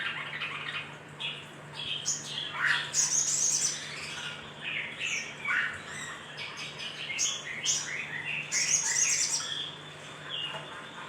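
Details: Little spiderhunter calls used as a lure to stir other birds into calling: rapid, squeaky, sharp chirps and squawks tumbling over one another, high and busy throughout, with a faint steady low hum beneath.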